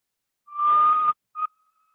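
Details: Great tinamou in Panama forest near the Canopy Tower, heard almost daily in late afternoon and early morning, giving a pure, steady whistle under a second, then a short second note ending in a faint trailing tone.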